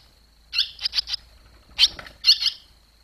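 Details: Barn swallows on 21 July 2023, the day the young finally fledged from the nest: three quick bright chirps, a pause, then two more clusters of sharp twittering notes over a faint steady high whine.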